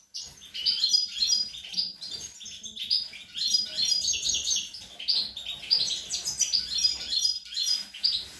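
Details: European goldfinch song from young birds, 25 April 2021: continuous lively high twitters, tinkling notes and short buzzy trills in quick, jumbled phrases with steady energy throughout.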